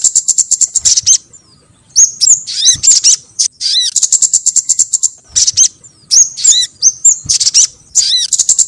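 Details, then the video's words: Lure call of the sogon bird (crimson sunbird): rapid series of sharp, very high chips in quick trilled runs, mixed with brief swooping twittered notes and short gaps between bursts. "SUARA PIKAT BURUNG SOGON & PANCINGAN BURUNG SOGON"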